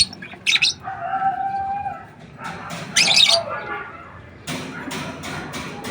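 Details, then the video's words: African lovebirds kept in an aviary give sharp, shrill chirps and squawky bursts mixed with audible wing flapping and rustling, with a few fainter, lower tonal notes between the louder outbursts. "african love 💕 birds"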